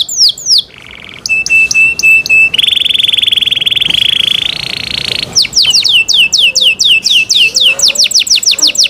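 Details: Canary singing cenkok-style. A few sharp sweeps lead into a thin steady whistle, then a long loud buzzing roll that steps higher. After it comes a bright run of quick repeated swooping notes.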